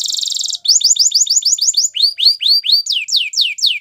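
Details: Training song from a canary: a buzzy trill opens, followed by rapid repeated chirps and then slower, louder descending whistles, each phrase a string of identical notes.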